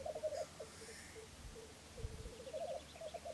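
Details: Three Black Grouse males displaying at a lek at dawn on 17 April 2013, heard from a hide at Filsartrusket in Florarna: a continuous low, rolling, bubbling coo that rises and falls in waves, with brief pauses between phrases.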